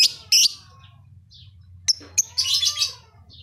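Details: Lovebird kept in Leuwimunding, in full active song: shrill squeaky chirps, a sharp click pair, then a long rough buzzy twitter, with a faint thin whistle and low background hum.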